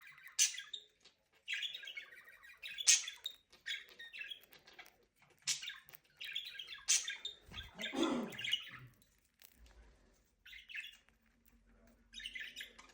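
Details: Several pet budgerigars chatter while eating, with quick, scratchy warbles and bright chirps in short repeated bursts.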